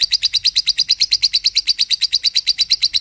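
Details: Lovebird song used as a master recording for training other birds: a steady run of high, sharp chirps repeated about six times per second at an even pace, with no pauses throughout.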